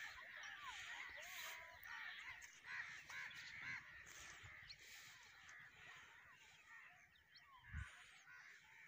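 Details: Crows gathered at a roost call in a busy, scratchy chorus of overlapping caws, with a few louder calls and a sharp thump near the end.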